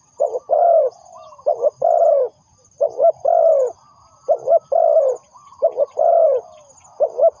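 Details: Lure spotted dove for trapping, cooing in a rolling series: paired short notes then a drawn-out hoarse coo, repeated about every second, with a high faint trill behind.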